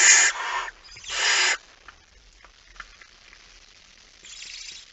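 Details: Male barn owl arriving with a mouse at night, recorded 17 September 2019 at 23:55. Two harsh, broadband hissing screeches come first, the second longer at about half a second. Then a quiet stretch with faint clicks and a soft hiss at the end.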